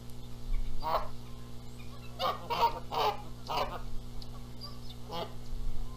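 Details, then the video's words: Canada goose pair at their nest in Charlo, Montana, April 14, 2022, arguing over egg-sitting, the male making lots of noise. Separate loud honks at irregular intervals, a quick cluster of three in the middle, over a faint hum. ""MY eggs!" "NO! MY eggs!" Canada Goose"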